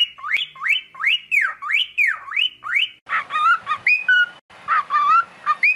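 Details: Cockatiel singing: rising-then-falling whistled notes repeated about twice a second, followed by a mix of warbled chirps and short whistles.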